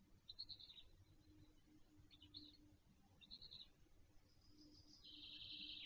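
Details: The latest-hatched Black Stork chick on a nest webcam at Wolsztyn, Poland, 17 June 2024, gives a few faint, high, squeaky chirps, then a longer wheezy hiss, over a low steady hum.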